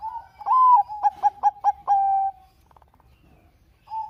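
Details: ['Zebra dove of Bangkok stock, a lively lure singer for doves that will not sing: one phrase, a rising slurred coo then five quick clipped coos and a long even final note, followed by near silence.']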